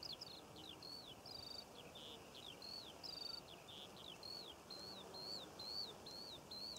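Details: June skylark song over poppy fields in Cornwall: a lively chain of high, repeated chirping and slurred whistle notes, roughly two per second, continuing unbroken over a faint hiss of outdoor background.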